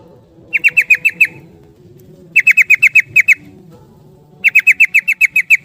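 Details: A yellow-vented bulbul's rapid ropel song: three separate bursts, each of six to nine sharp, ringing notes delivered in a fast, even rattle, with short silences between bursts.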